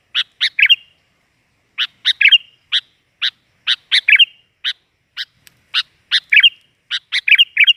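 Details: Kutilang or sooty-headed bulbul lure sound, lively and noisy: sharp, loud chirps given singly or in quick bursts of two or three, spaced irregularly across the recording, with silence between.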